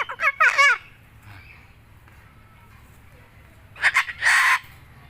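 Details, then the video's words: Talkative white cockatoo, described as skilled at speech, giving two brief bursts of word-like vocalising, a wavering voiced phrase at the start and a harsher, breathier phrase near the end, separated by several seconds of near silence. "Burung Kakatua putih pandai bicara"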